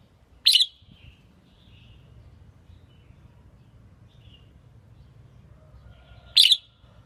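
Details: Female red-whiskered bulbul kept to excite males for contests; two short sharp bright notes about six seconds apart, with faint soft chirps between and a continuous low rumble.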